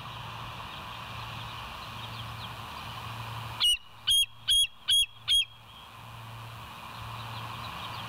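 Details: Bald eagle captured by the West End nest live cam at 07:02 on 28 August 2023. Five strong, shrill whistled notes in a tight, regular series, bracketed by quieter stretches of low droning hum.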